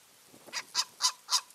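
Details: Eagle pair visiting their nest in mid-March, one calling with four short harsh notes spaced roughly a quarter second apart, quiet background.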